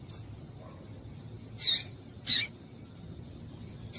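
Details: Female double-collared seedeater call meant to get a male singing: one faint chip, then two loud rasping chips close together, and a final chip cut off at the end.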